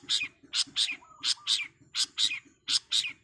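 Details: Long-tailed shrike (cendet) delivering fast training song: loud, harsh high chattering bursts repeated about every quarter second, with a brief lower whistled slur midway, over a constant low pulsing tick.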